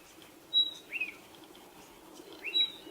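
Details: Spotted pardalote calling, recorded alongside footage of a bird at its nest hole: two brief high notes, a thin whistle followed by a short lower slurred note, repeated once about two seconds later, over faint background hiss.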